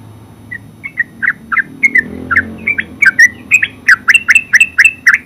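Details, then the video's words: Yellow-vented bulbul, known locally as terucuk, singing a full 'ngeropel' style song: a run of short, bright chattering notes that begins sparse, then quickens into a dense, rhythmic burst, over a faint low hum. "Terucuk full suara ngeropel"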